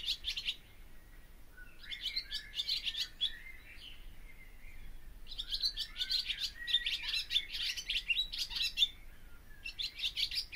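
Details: Barn swallow (Hirundo rustica) singing: bursts of rapid, dense twittering and chattering notes high in pitch, broken by short gaps, with gliding slurred whistles mixed in.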